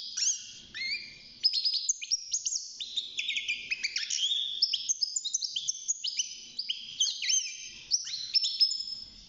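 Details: Young caged European goldfinch, six months old, beginning to sing inside its cage: a continuous rapid twittering of bright, high chirps and short liquid trills with quick upward slides, tumbling without pause for nine seconds.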